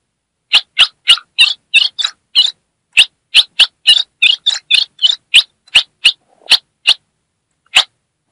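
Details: Female ultramarine grosbeak from the Brazilian Northeast, calling to stimulate a male: a long steady series of harsh chip and chatter notes about three per second, slowing to spaced single chips at the end.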